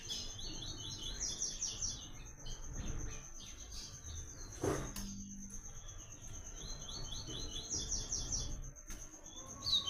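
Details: Double-collared seedeater giving its "Tui Tui" song, meant for song training: two bursts of quick, repeated high chirping notes about seven seconds apart, over a constant high whine, low rumbling background noise and a single click.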